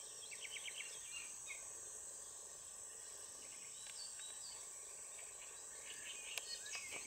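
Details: Black-winged stilt (Himantopus himantopus) at the Izliv Soče nature reserve on 1 June 2023 gives short, sharp, yapping notes in quick bursts of three to five, over a steady high insect drone.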